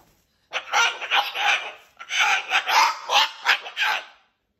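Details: Cockatoo kept as a pet, using his whole body to tell stories and fling fibres, gives two long runs of rough, scratchy chatter made of rapid pulsing syllables, separated by a short gap.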